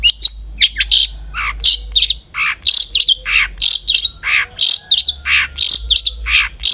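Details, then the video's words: Energetic long-tailed shrike song meant to prompt other shrikes to sing, made of loud raspy, scratchy notes and squeaky chirps delivered in a fast, irregular stream with brief gaps. "suara burung CENDET GACOR ampuh pancingan CENDET AGAR BUNYI"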